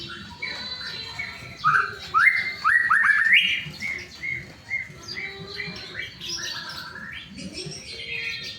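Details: Shama song used as a singing prompt for other white-rumped shamas: rapid bursts of rising whistled notes, a mix of chattery and clear phrases, then softer varied calls over a steady low hum.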